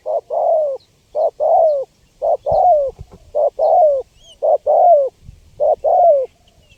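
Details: Spotted dove cooing, played to lure wild birds: paired low coos, a short note and then a longer falling one, repeated about once a second with brief silent gaps and faint clicks between phrases.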